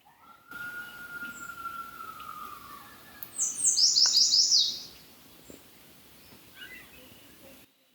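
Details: On a sunny, chilly, slightly damp morning in woods in southern Alberta, a bright, rapid run of high songbird notes follows a long, drawn-out distant howl from coyotes in nearby woods.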